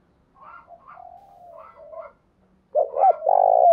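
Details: Lure spotted dove cooing in the morning: faint chirping and warbling from other birds at first, then loud, deep, throaty coos with a long rolling note.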